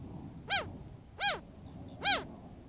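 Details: Juvenile Cooper's hawk complaining to its parent at a desert watering hole in the heat, likely wanting food: three loud, clear, arched, nasal squeals evenly spaced about three-quarters of a second apart.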